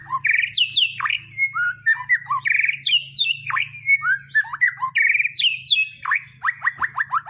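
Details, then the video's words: White-rumped shama from tropical forest, tutor recording for juveniles: varied loud phrases of buzzy notes, steep falling sweeps and whistles, ending in a rapid run of repeated downward strokes over a faint low hum. "SUARA KICAUAN MURAI BATU HUTAN TROPIS"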